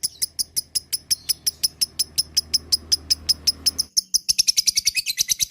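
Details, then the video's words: Lovebird ngekek chatter, meant to stir other lovebirds: steady sharp high chirps about three per second over a low hum, speeding into a denser trill near the end. "Mancing Lovebird agar Emosi Ngekek Panjang"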